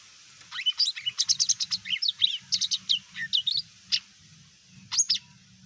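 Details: Greater green leafbird, mini type, its song used to provoke other birds into calling back; rapid series of sharp, high whistled chirps and downslurred notes in clustered bursts, then a pause and a final short flourish.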